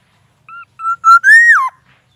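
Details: Caged black-naped oriole during its daily care routine, singing one mellow whistled phrase of brief level notes that climb into a long rising glide before dropping steeply, with no other sounds.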